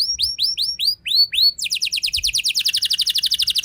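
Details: Rolling canary song played to stir other canaries into song. Spaced, rising-then-falling whistled notes are followed by a rapid, rattling trill at very high pitch that steps slightly lower near the end.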